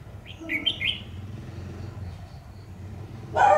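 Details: Red-whiskered bulbul at a trap set with a decoy bird: a quick run of short, bright whistled notes that rise and fall, then a low rumble and a final burst of noise.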